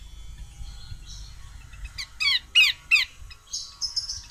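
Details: A female Horsfield's babbler calls in a quick sequence of four or five scratchy, buzzy notes, evenly paced, followed by thin high chirps at the end.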